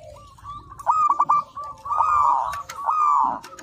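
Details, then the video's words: Zebra dove, a local perkutut type, in master-song material for training. It gives loud, rapid clipped coos, then longer, smoother drawn-out cooing phrases blended with other doves. "Perkutut Lokal Gacor, Masteran Anti Gagal"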